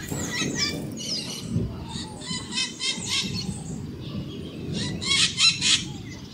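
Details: Scaly-headed parrot (Pionus maximiliani) screeching in harsh, raspy bursts of several screeches per second over a low background rumble.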